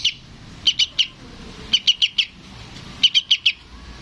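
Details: Young yellow-vented bulbul calling for its parent, a recording offered for luring adult birds; sharp, high chips come in quick bursts of three or four, a burst roughly every 1.2 seconds, over a faint steady background hiss.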